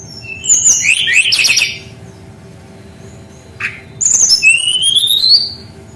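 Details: Brown-chested jungle flycatcher in full rolling song, played to coax young birds of its kind into singing: a dense burst of high trills and sweeps, a short pause broken by one slurred note, then whistles ending in a long rising glide.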